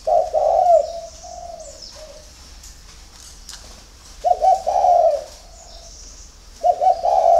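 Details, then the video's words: Early-morning song of a captive spotted dove at a breeding farm near Ba Vì, Hanoi, Vietnam: low, throaty coo phrases with a stuttered start, separated by pauses of a few seconds, and thin bird chirps in the background. "CU GÁY SÁNG SỚM"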